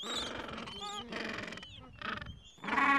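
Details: Gentoo penguins at the edge of a breeding colony in the Falkland Islands, mild afternoon, adults tending two-to-three-week-old chicks at nests; harsh harmonic braying calls in bursts with short gaps, several birds overlapping.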